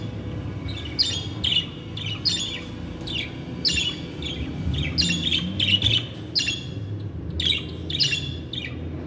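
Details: Pet budgerigars, male and female, warble and chirp in quick buzzy bursts, several notes bunched together every second or so, against a constant low background hum.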